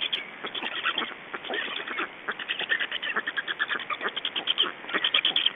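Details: During a changeover and feeding at a black stork nest in Estonia, 2 June 2012, 21:54: quick, regular series of coarse, quacking rasps, accelerating and growing louder toward the end.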